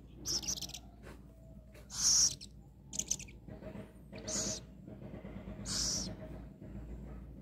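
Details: A rescued captive Little owl, just before being fed, gives harsh, hissing screeches, five rasping bursts about a second or so apart, with a faint low background hum.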